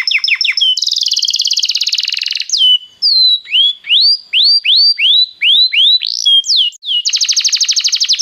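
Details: Belgian canary in full song: quick chips, a rolling trill, a run of rising and falling whistled sweeps about twice a second, ending in another fast buzzy trill.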